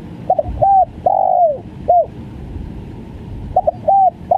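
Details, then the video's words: Stuttering 'gagap' call of a spotted dove: a quick double note, short coo, long sliding coo and clipped end note, the phrase then starting again after a pause, hollow and mellow against low hiss. "SUARA TEKUKUR||GAGAP FUL"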